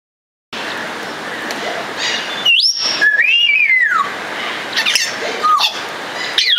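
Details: Congo African grey parrot, Psittacus erithacus erithacus, kept at Warsaw Zoo, giving loud clear whistles: a high rising-then-falling note, a long arching downward slur, then shorter whistled notes, over a constant background hiss.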